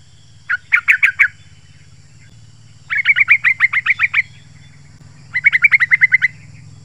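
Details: Lure song of a yellow-vented bulbul: three tight bursts of rapid, evenly repeated sharp chirps, about eight to ten notes each, separated by short pauses, over a low droning hum.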